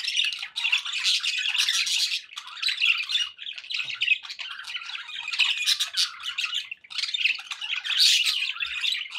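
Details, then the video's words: Lively chatter from several pet budgerigars, harsh squawks and bubbling warbles in waves that rise and fall, with a few short dips in loudness. "budgie sounds"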